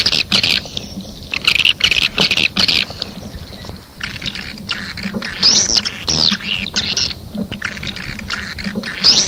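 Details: Swiftlets chatter in the A4 calling sound, giving high scratchy chirps mixed with a few quick rising sweeps. The bursts are irregular and sometimes overlap, and soft noise sits below.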